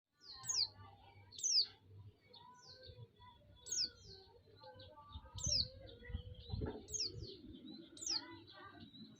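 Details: White-eye song used as a lure to provoke other white-eyes and raise their excitement: high, sharp descending whistled notes repeated about every second, over soft low rumble and faint background chirps.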